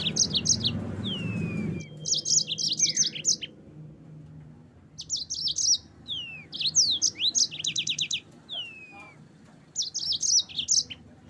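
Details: Yellow-fronted canary singing for a training recording: quick clusters of sharp, high chirps and twisting whistled slurs, phrases separated by short pauses, over a low background hum that fades after the opening.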